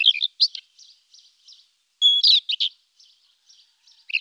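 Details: Rufous-tailed scrub robin phrase opening with quick chirpy notes, then a held, pure whistle followed by a few jerky notes, with faint echoing fragments trailing off; otherwise quiet.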